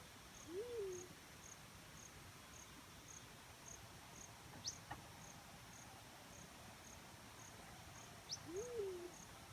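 A black-chinned fruit dove gives two soft, low hoots about eight seconds apart, each swelling up then dropping away, over a steady high insect chirping.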